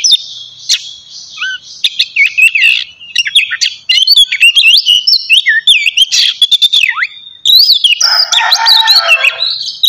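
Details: Oriental magpie-robin (kacer) singing in a morning lure meant to make kept birds sing: continuous high whistled warbling with clicks and upslurred notes, ending in a harsh grating chatter.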